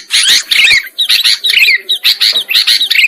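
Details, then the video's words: Sooty-headed bulbul lure for bird trapping, with loud, scratchy chattering phrases from several birds, each burst ending in slurred descending notes. "Suara Pikat Burung Kutilang Ampuh"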